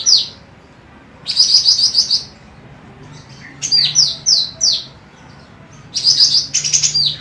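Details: Female cucak rante emas, in a training recording: rapid high trilled bursts alternate with a series of four descending whistles, followed by more trilling. Faint hum underneath.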